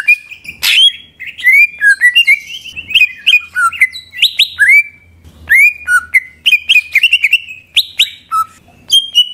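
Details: Provoking song of a greater green leafbird: a harsh opening note, then fluent whistled slurs, upsweeps and chattering notes, varied and continuous, with a faint low hum beneath.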